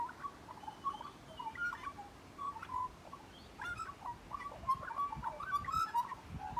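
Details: Close magpie singing a rambling, fluty warble of short whistled notes that jump and slide around a mid pitch, with occasional clicks and soft background noise.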